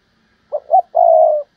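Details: Spotted dove used as a decoy, said to sing better than twenty-nine others in thirty: a brief hoot, a rising second note, then a long, even, low coo.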